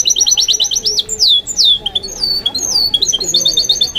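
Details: Goldfinch × canary mule kept as a pet, singing a fast, continuous high song of repeated trilled and slurred notes, with quick buzzy runs and downward whistled sweeps, bright and rapid throughout.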